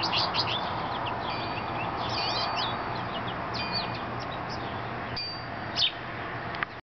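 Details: A male American goldfinch sings from a birch tree in summer, a rambling run of quick, high twitters and sweet chirps, some with upslurs, over a steady background hiss.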